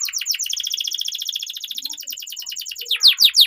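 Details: Canary song to train young canaries: a fast, even, rattling trill of short chirps, ending in three loud downward-slurred notes.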